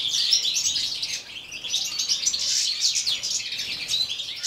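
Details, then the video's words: Group of caged European goldfinches singing in winter cold, minus four degrees; busy, tinkling twitters and buzzy trills overlap, with a brief dip in volume before the chatter swells again. "Goldfinches Winter song part II"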